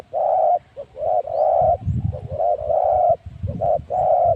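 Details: Spotted dove acting as a decoy for wild spotted doves at luring spot 136, producing low hooting coos in a rolling series of short and long notes over a low background rumble.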